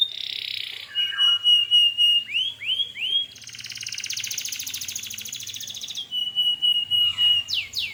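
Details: Gacor canary singing to make other canaries answer: a steady buzz, a flat whistled trill, looping swoops, a long buzzy rattle, then the flat trill and swoops again.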